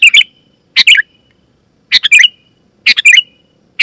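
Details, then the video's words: Sooty-headed bulbul in full voice, a loud lure call meant to make other bulbuls reply; four rich, bubbly two-part chirps, each ending in a brief ringing note, spaced under a second apart. "Suara Burung KUTILANG GACOR,Super Ampuh Keras, Lantang dan Jernih, Burung Kutilang Lain Auto Gacor"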